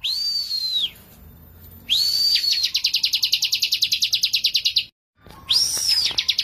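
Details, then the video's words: Bar-winged prinia in energetic song: an arched whistle, then a fast train of about twenty sharp, clipped high notes repeated several per second, ending after a short silence with another rising-and-falling whistle. "KICAUAN BURUNG CIBLEK GACOR"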